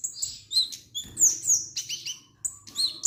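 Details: Kemade (orange-headed thrush) pouring out a lively song of high, thin whistles and sharp chirps, some notes sliding downward, in quick irregular phrases about four per second.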